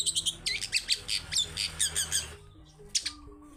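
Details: Long-tailed shrike singing energetically in wild style, as a prompt for a shrike that rarely sings: fast, harsh, squawky notes repeated about five times a second for two seconds, then a pause and one sharp note.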